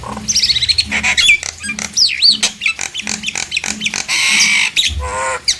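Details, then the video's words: Nias hill myna, used as a lure to make quiet mynas start singing: quick run of loud, clipped notes with swooping and looping high whistles, a long buzzy rasp near the end, and steady low pulses underneath. "Pancingan jalak nias agar jalak yang diam langsung esmosi dan ikut bunyi"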